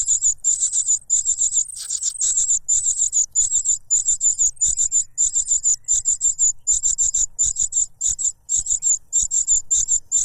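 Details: Noisy cuckoo chick competing for food brought by a foster parent, which pushes a butterfly into its mouth; sustained, very high, raspy begging calls in rapid pulses, barely pausing for ten seconds.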